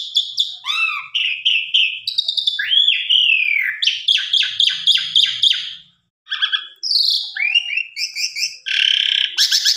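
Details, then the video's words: Asian pied starling singing to spur other birds: a fast mix of arched whistles, stuttering chirps and buzzy rattles, one short silent gap midway, then dense harsh phrases. "Pancingan Jalak Suren Biar Bongkar Isian"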